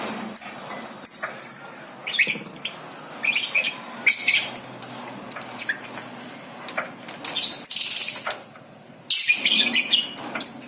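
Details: Lovebird ngekek calling, meant to coax young lovebirds into singing. Shrill, scratchy bursts of chatter are separated by short pauses, with a constant background hiss.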